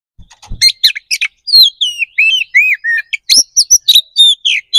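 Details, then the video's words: Oriental magpie-robin (kacer) in energetic fighting song, used to stir another bird into answering: stuttering sharp notes, a flowing run of looping downward whistles, then quick repeated ringing chips and phrases. "KACER GACOR NGEPLONG TARUNG"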